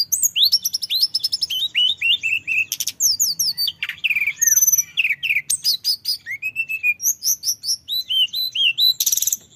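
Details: Male orange-headed thrush singing continuously as a lure recording: a rapid, rolling stream of varied clear whistles, slurred upward and downward notes and sharp chirps, high pitched and almost unbroken for nearly ten seconds.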